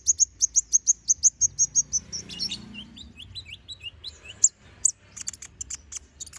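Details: Konin bird, gacor ngobra full-isian song for tutoring magpie-robins: a fast, even series of about a dozen high chirps, followed by a string of lower downslurred whistles and scattered sharp notes, faint hum underneath.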